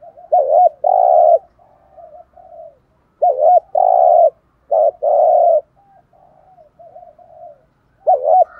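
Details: Spotted dove calling to spur decoy birds: repeated coo phrases, a quick wavering note then a long sustained coo, recurring about every two seconds with quieter trailing notes between.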